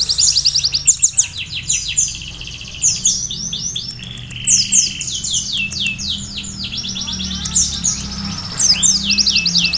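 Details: Lively sunbird singing a canary-filled song: dense bursts of very high, sharply falling notes, short flat whistles, and chattering trills poured out almost nonstop, with a faint low hum underneath.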